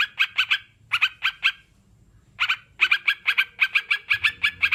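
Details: Sooty-headed bulbul giving sharp, clipped notes in quick bursts of three or four, with short silent gaps between groups and a faint low hum underneath.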